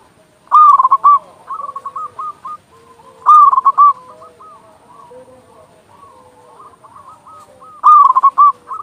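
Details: Loud local zebra dove song for prompting silent or stressed doves to sing: three bursts of rapid, bubbling coo notes, each followed by softer, spaced coos, with fainter doves cooing in the background.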